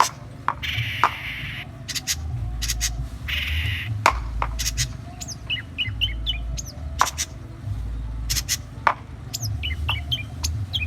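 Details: Long-tailed shrike from Indonesia singing with goat material in its repertoire. Early on come drawn-out, bleat-like bursts, followed by quick sharp chirps, clicks and short whistled notes in loose clusters. A steady low rumble runs underneath throughout.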